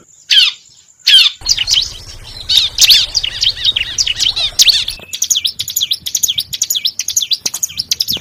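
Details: Lure calls of bar-winged prinia: a few isolated sharp chirps, then a busy stream of high, wavering and falling notes, ending in rapid, evenly spaced chirps with a low buzz partway through.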